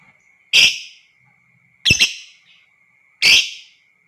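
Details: Lovebird voice used to stir other lovebirds into long ngekek: three loud, grating squawks about 1.3 seconds apart, the middle one doubled, with a constant high whine underneath.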